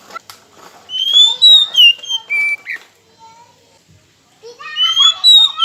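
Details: Oriental magpie-robin lure song for provoking rivals into singing: bright whistled phrases with sliding notes over a background of chatter and mixed noise, a quieter pause midway, then more whistling.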